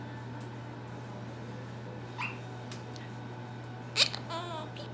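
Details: A male pet Quaker parrot (monk parakeet) mimics the word "peekaboo" in short, squawky, voice-like syllables over a steady indoor hum.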